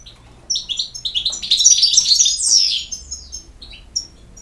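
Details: European goldfinch singing a fast, tinkling twitter of high chirps and short slurred notes, starting after a brief pause and swelling into a dense burst before fading to a few scattered notes.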